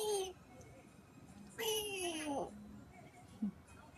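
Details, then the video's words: A Grey Parrot gives two voice-like calls, a short one and then a longer, drawn-out one that slides downward, sounding much like human speech. "Grey parrot voice"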